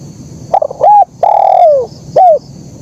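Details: Singing spotted dove, 'kuk 1' style: a quick stuttered note, then a rounded coo, a long sustained coo falling away at its end, and a final short descending coo, loud and clean.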